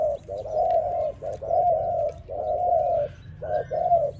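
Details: Spotted dove singing, used as a training recording: soft, hollow coos in short-then-long pairs, each longer note drawn out and slightly falling, repeated roughly once a second over a faint low hum.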